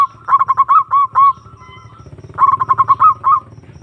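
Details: Zebra dove calling to provoke a rival: two stuttering phrases of short notes and slurred rising-falling coos, a faint steady tone between them, and a low rumbling hum in the background.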